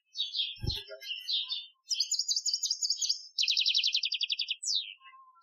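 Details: Goldfinch with an Algerian-style training song recorded in 2015: varied twittering phrases leading into a steady rapid buzzy trill, ending with a falling slurred note; one low thump early on.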